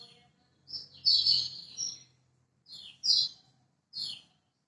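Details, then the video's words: Lemon-bellied white-eye of Lombok, master song used to prompt silent birds: a sweet high warbled phrase near the start, followed by three short bright chirping bursts spaced about a second apart. "Masteran Kecial Kuning Lombok!!! Buat Pancingan Kecial Macet"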